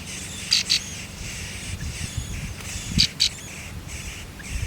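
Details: Nestlings in a nest being fed by their mother, giving two brief bursts of high, thin double chirps about two and a half seconds apart, over a soft rural background hiss.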